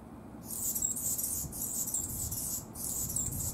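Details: Anna's hummingbird singing: a thin, scratchy, very high buzzing phrase that starts after a short quiet pause, runs about a second, breaks briefly, then resumes twice more, over faint low background rumble.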